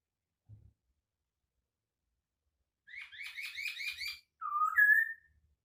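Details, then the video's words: White-crested laughingthrush singing its unique song after a brief soft knock: a fast chain of rolling, buzzy notes, then a loud whistle rising from low to higher pitch. "kicauan unik Burung Poksay Hongkong"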